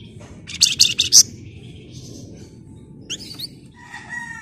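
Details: Flamboyan in vigorous song, a dense rapid trill style: a buzzy burst of fast repeated high notes, then a pause, a few sharp rising whistles and a thin warbled phrase over low background hum.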